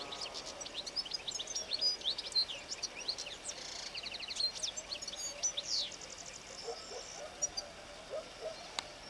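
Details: European goldfinch in Extremadura, Spain, singing in the early morning sun: a sustained, rapid, high-pitched twittering medley of tinkling notes, buzzy trills and sharp chirps running almost throughout, over soft rural background noise.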